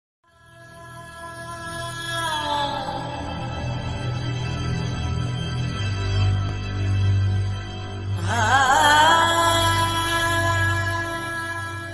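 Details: Only music is heard: sustained, droning tones with a wavering, sliding passage near the end, and no animal voice.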